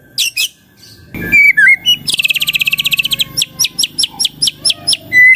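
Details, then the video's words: White-rumped shama song: a few whistled slurs, then a long rapid rattling series of harsh repeated notes, followed by evenly spaced sharp clicks and a closing loud burst. "belum 1 menit SUDAH BANYAK murai lain IKUT NYAUT dan GACOR dengar ini"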